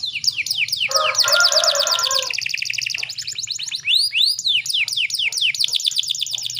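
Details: Female canary call used as a lure to stimulate males to sing: rapid high sweeping chirps and rolling trills, repeated quickly, with a brief lower buzzy passage early on.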